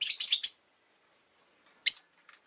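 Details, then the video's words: Rosy-faced lovebird kept as a pet, chattering in a rapid burst of shrill, high chirps for half a second, then after a pause one loud sharp chirp and a few faint ticks. "Lovebird Chirping Sounds"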